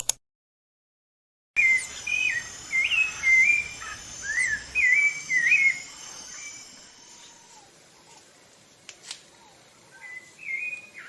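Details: A Brazilian rufous-bellied thrush sings after a moment of silence: repeated clear whistled, looping phrases for several seconds, then fainter scattered notes against a high insect hiss.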